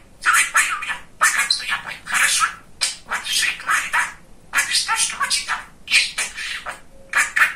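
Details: A male pet budgerigar chatters nonstop in rapid, scratchy bursts of mimicked words, with high squeaky syllables and brief pauses between phrases.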